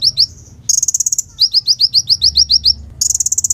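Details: Clear, natural song of a kolibri ninja, or Van Hasselt's sunbird: high chips, a buzzy trill, then a regular run of sharp rising notes, and another high trill.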